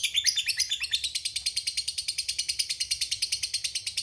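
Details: Shrill rapid trill from a fighter lovebird doing the long 'ngekek panjang' chatter used to provoke rivals: rattling high notes repeated about three times a second, steady and unbroken for the whole stretch.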